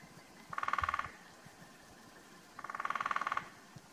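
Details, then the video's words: In February in Slovenia's Karst, a male lesser spotted woodpecker drums twice on oak, each roll about half a second of rapid, evenly spaced knocks that swell slightly, with two seconds of quiet between rolls. "Lesser Spotted Woodpecker drumming"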